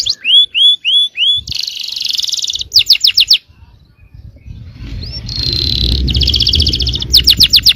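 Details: Yellow canary song meant to provoke rival canaries to sing: four upslurred whistles, a buzzy roll, quick sweeping notes, a short quiet gap, then another roll and a fast trill.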